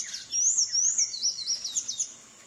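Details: Free-living Sayaca tanager singing: a high, thin twittering phrase of quick up-and-down slides, then several squeakier chipping notes before it fades out. Only a soft low hum beneath.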